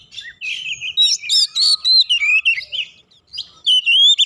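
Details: White-rumped shama answering a rival with a flowing string of clear, wavering whistles and quick sweeping notes, ending in a sustained bright phrase.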